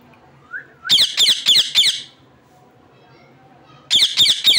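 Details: Parrot calling in a run of five sharp, high, rasping chirps about a quarter second apart, a pause, then three more of the same harsh notes; a soft rising note comes before the first burst.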